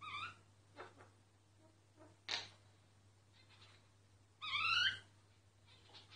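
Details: A myna singing, recorded quietly so it would not notice and stop. Two bright rising whistled phrases with stacked overtones, one brief and one longer, separated by soft clicks and short notes over a low steady hum.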